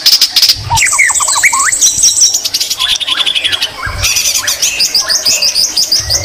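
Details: White-rumped shama singing with green leafbird imitations, loud and nonstop: sharp high whistles, buzzy notes and rapid clicking trills, with a clipped rising-note series in the middle.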